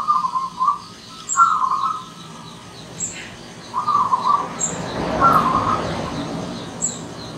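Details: Wild zebra dove, a visiting bird, producing rolling trilled coos in short bursts, with sparse high chirps and a soft rushing noise in the latter half.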